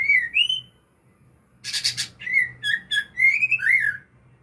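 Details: White-rumped shama singing in 'ngukluk' style: clear whistled notes that rise and slide, a pause, a quick rasping triple burst, then a run of varied whistles that swoop up and down.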